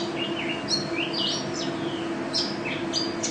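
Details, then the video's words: National champion Mountain white-eye (pleci) singing in 'gacor', 'teler' and 'ropel' style: bright, high chirps and fast downward slurs tumbling one after another, with a constant low background hum. "Pleci Juara 1 Nasional pleci Gacor juara nasional teler gacor ropel pleci"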